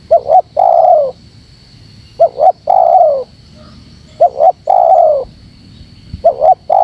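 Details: Spotted dove call used to provoke wild doves: two quick rising hoots, then a long, slightly descending coo. The phrase repeats about every two seconds, four times, over a steady high electronic whine.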